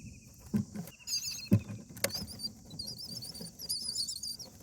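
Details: Common myna at the nest with nestlings on day 8, where a parent calls its mate out of the nest; short high wavering squeals come in bursts over sharp knocks and rustling.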